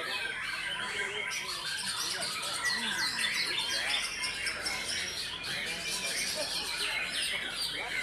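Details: A competition White-rumped shama sings at a bird-song contest, pouring out a rapid, varied string of bright whistles, trills and chattering phrases, with other birds singing alongside and faint voices in the background.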